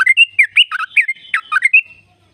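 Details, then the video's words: Sooty-headed bulbul in 'ropel' trill song used as a lure for caged birds; a quick, tumbling phrase of bubbly, warbled whistles lasting two seconds, then silence. "Jadikan burung trucuk gacor trucukan gacor tempur ropel panjang"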